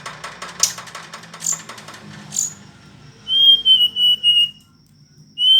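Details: Faint rustling and a few high thin notes give way to a clear Hill blue flycatcher phrase of about five steady whistled notes, with another phrase starting at the end.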